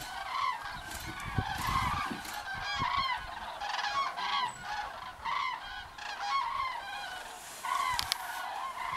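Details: A flock of common cranes returning to their roost gives loud, rolling, trumpeting calls that overlap continuously in a steady chorus, with a faint low rumble underneath.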